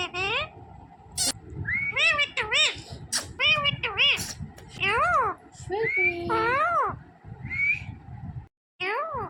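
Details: Green parrot chattering human-like words, many arched high squeaky syllables in groups with short pauses and rising whistles, background room hum and a brief silent break near the end.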